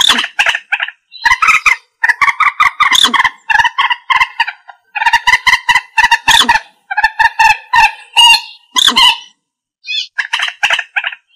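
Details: Common moorhen, recorded for trapping use: loud, croaking clucks delivered in quick bursts of four to eight notes separated by short pauses, harsh and harmonic-rich, repeated throughout eleven seconds with no other sounds.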